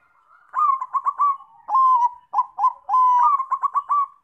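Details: Lure song of a Bangkok zebra dove (perkutut) meant to set other doves singing: rapid stuttering coo bursts, a drawn-out flat coo, two short notes, then another long coo breaking into fast staccato repeats. The setting is silent.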